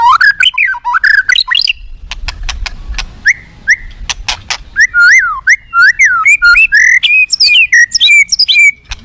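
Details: Aggressive white-rumped shama singing that provokes other shamas: swooping, looping whistles, a series of sharp clicks, then a fast varied stream of rising and falling whistled notes.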